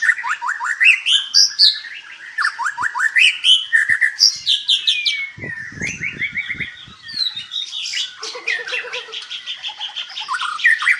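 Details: Dense, varied song of a white-rumped shama kept at a breeding farm in Palembang, Indonesia: fast rising and falling whistled phrases, buzzy trills and sharp chips running almost without pause, with soft knocking cage noises midway.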